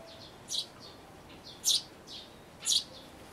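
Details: Sparrow chicks about to fledge in a birdhouse, recorded 12 May 2012 on an Everio camcorder: three strong, piercing high chirps about a second apart, mixed with quieter, softer peeps.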